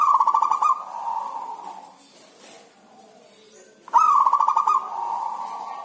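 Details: Kept zebra dove singing during the rainy season, when it rarely calls: a stuttering run of rapid pulsed notes flowing into a long mellow coo, pause, then the same phrase repeated.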